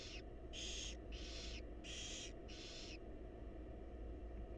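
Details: Feeding time for wild barn owl chicks in a nest box: the young utter four loud hissing begging screeches in quick succession, each about half a second long, over low steady hum.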